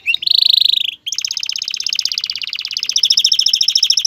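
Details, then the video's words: A male canary sings to urge a female toward mating and nesting: a loud steady whistle near one second, a brief break, then a long pulsing rattle-like trill that grows more spaced and emphatic toward the end. "اقوى تغريد ذكر الكناري لتجهيز انثى الكناري للتزاوج و تحفّزها على بناء العش CANTO CANÁRIO"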